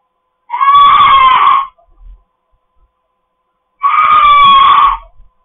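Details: Screaming pet cockatoos indoors: two harsh, buzzy shrieks of about a second each, separated by a silent pause of roughly two seconds.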